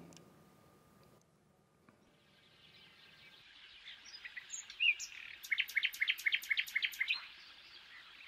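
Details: A Common nightingale sings a rich phrase, a high whistled note then a fast, regular series of about eight sharp repeated notes, showing the species' varied, creative song; faint background hiss throughout.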